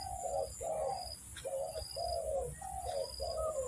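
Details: Close spotted dove coos used to lure birds for trapping: drawn-out, mellow notes alternating short and long, each dropping at its end, over a persistent thin high whine.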